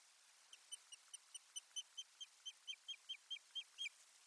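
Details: Osprey at its nest on 1 May 2020, bringing soft nesting material, heard on a live nest stream: a steady run of short, sharp whistled chirps, about fifteen notes rising slightly in loudness, over a faint hiss.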